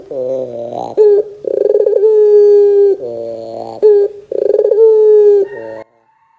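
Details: Lure call of a Barbary dove for prompting young birds to respond: low buzzy notes, a sharp rise, then sustained smooth coos with vibrating starts, repeated twice before the sound stops abruptly.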